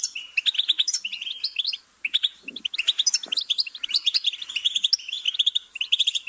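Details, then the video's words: Goldfinch singing a dense, tinkling twitter of rapid high notes, bursts of quick chirps with a brief pause near the two-second mark before the chatter resumes. "Goldfinch's Singing"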